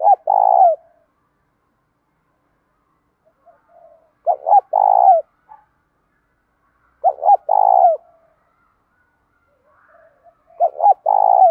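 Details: Spotted dove, a trained bird, singing in a style used to train and provoke other doves: four coo phrases about every three and a half seconds, each two or three quick short notes then a longer, throbbing, slightly falling coo, with faint soft notes between phrases.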